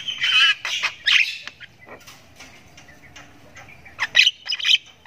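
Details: Jalak kebo (Javan myna) chick practising its ngriwik chirp: loud raspy squawks at the start, a quieter stretch of faint scratchy notes, then renewed harsh bursts.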